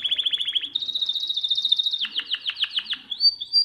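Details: Canary song meant to teach young birds: fast rolling trills, a run of evenly repeated downward-sweeping notes, then high whistled slurs, all rapid and bright.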